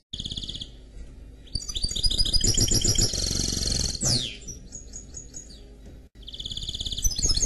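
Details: Canary crossed with goldfinch (mule) singing: a buzzy high trill, then long stretches of rapid twittering and rolling phrases ending in a steep downward slur, a pause, and the trill again.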